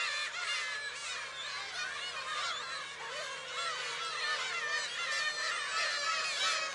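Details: At a shrine on Friday, July 10, black-tailed gulls keep up a steady, overlapping chorus of wavering mewing and squawking cries, with a low background hum.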